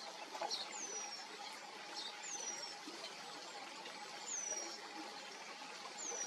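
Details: Eurasian penduline tit call at riverside nests built at branch tips over the water, where parents are feeding grown chicks: four very high, thin, drawn-out descending whistles every one and a half to two seconds, over hiss and low hum.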